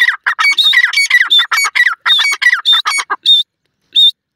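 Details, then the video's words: Grey francolin giving a loud, harsh run of shrill squawking notes, rapidly repeated about a dozen times over three seconds, ending with two separate high piping notes after short pauses; no other sounds. "Grey Francolin's Serenade"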